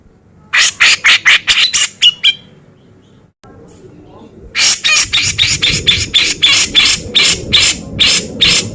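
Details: Loud beset ngepik singing from a male cucak jenggot (Grey-cheeked Bulbul), recorded for training contest birds: a quick volley of raspy notes, a brief gap, then a long evenly paced series of harsh buzzy bursts.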